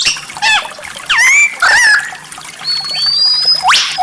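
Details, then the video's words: White-rumped shama with rare 'tembakan' singing: sweeping, curving whistles and a long thin high whistle over a faint steady background hiss. "Masteran Murai Batu tembakan Langka, suara aneh memikat para juri"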